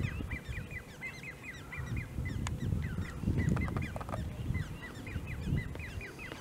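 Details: At De Gouden Ham near Maasbommel on 1 August 2018, a great crested grebe with young: rapid series of thin, hooked whistled peeps, repeated several per second, over a strong low-pitched rumbling background.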